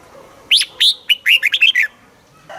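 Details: Red-whiskered bulbul kept caged in Thailand, southern-style song meant to stimulate birds and teach young ones: one rapid phrase of about seven bright, slurred, warbling notes, then quiet.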